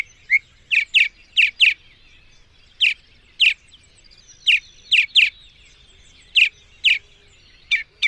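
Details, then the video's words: Mockingbird (cenzontle) singing. Short, sharp, high chirped notes come singly, in pairs and in triplets at uneven intervals against a quiet background. "El Hermoso canto del Cenzontle"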